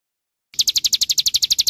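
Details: After a short silence, an olive-backed sunbird breaks into quick, evenly repeated high chirps, each note crisp and clipped, with a low background hum.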